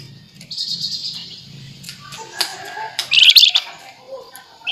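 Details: Flamboyan singing in nembak nyerecet style: a thin sustained high note, scattered sharp chips, then a brighter rapid rattling burst, with a low steady hum underneath.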